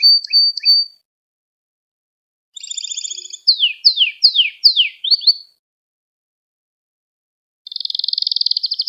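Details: Canary singing to teach young canaries: a few sharp chirps, a buzzy trill, five descending whistled sweeps, a long silence, then a rapid high rattle.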